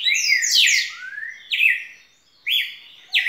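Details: Red-cowled cardinal song: a long rich whistled phrase followed by shorter sharp rising-falling notes spaced about a second apart, clear and dominant.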